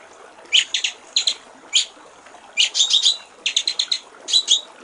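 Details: White-rumped shama singing a clear water-trickle song from a master recording for training songbirds: sparse clusters of two to four sharp high notes split by short pauses, with a longer gap near the middle.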